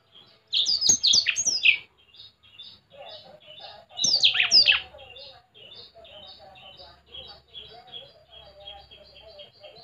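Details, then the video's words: Blackthroat singing actively, spreading its wings: two loud bursts of rapid, high whistled and slurred notes, each about a second long, then softer twittering phrases continue through the rest. "Burung blackshot gacor sampai buka sayap"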